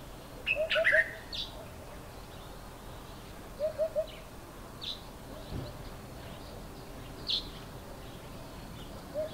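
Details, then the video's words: An African hoopoe calling from powerlines in front of a house in the morning gives soft, low, hollow hoots, mainly three-note 'poo-poo-poo' phrases about every three seconds, ending with a four-note phrase; other birds chirp briefly behind. "African Hoopoe calling"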